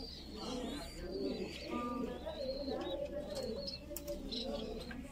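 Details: Young Voorburg Shield Cropper, a Dutch fancy pigeon breed, calling as it is fed: a steady mumbling, wavering stream of low tones, with high thin bird chirps and occasional clicks over it.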